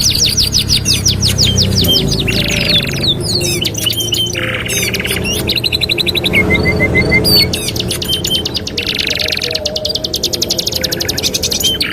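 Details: Master training song of a canary: alternating fast rattling trills, buzzy stretches and brief whistled glides, with several overlapping song lines and steady background hum.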